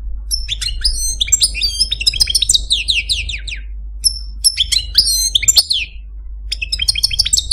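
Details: Male Algerian Parva goldfinch kept as a caged pet pours out a dense, tumbling song of high twittering, tinkling slurs and buzzy notes, briefly pausing, against faint low hum.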